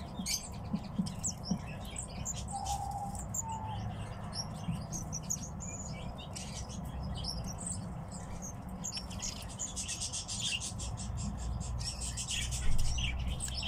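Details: Captive tits utter a long series of high, thin chirps and ticks, sparse at first and thicker toward the end, accompanied by some rustling and a low constant hum.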